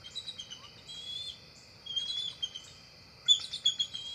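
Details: Bald eagle pair visiting the nest at dusk, both staying the night; thin, high squeaky notes run together, then a sharp burst of fast chittering at the end, with insects buzzing steadily throughout.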